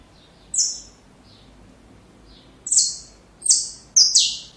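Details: Saffron finch song intended for training young birds: a single high, buzzy note, a two-second pause with faint softer notes, then three more harsh, stepped notes in quick succession.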